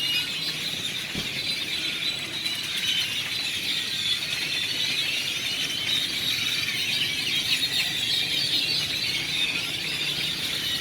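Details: Village square at Celestun on the Mexican coast full of gathered grackles, regularly fed in the mornings; a steady wall of piercing squeals and chirps from countless birds, unbroken for about ten seconds.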